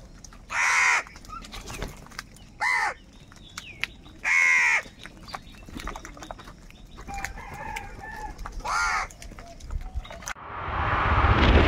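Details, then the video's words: Crows calling angrily for food, harsh arched caws at about 1, 2.7, 4.5 and 9 seconds, with rustling and clicking between and a rising wash of noise at the end. "Angry kauwa ki awaaz | Crow bird unity anger and sound for food"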